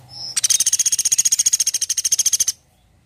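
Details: Woodpecker giving a lively call: a piercing, high rattle of quick staccato notes, roughly fourteen each second, lasting about two seconds before it stops abruptly into near silence.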